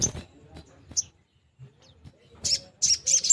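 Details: Long-tailed shrike singing in the loud 'nembak' style, used to rouse silent shrikes into song and breeding condition; a few scattered sharp notes, then a burst of three or four high, harsh chattering notes near the end over low background rumble.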